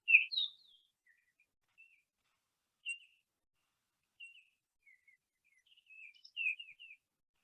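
Baltimore Oriole song: rich whistled notes around mid-high pitch, given in short phrases separated by pauses of a second or more, with a brighter burst at the end.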